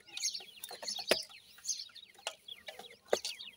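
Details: A group of dakhni teetar (francolin) chicks gives steady high, thin peeps sliding downward, with two sharp knocks standing out among the calls.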